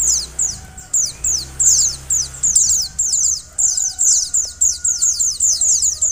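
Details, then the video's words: Calls of a female mountain white-eye to excite the male: an almost continuous run of fast, high, descending chirps in tight groups, with a low droning noise in the first half. "pleci betina untuk mempercepat buka paruh pleci jantan"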